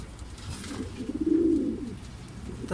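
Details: Racing pigeons arriving fairly together from a second truck training in Guiguinto, Bulacan; a single low, purring coo builds and fades over about a second, with a faint click at the end.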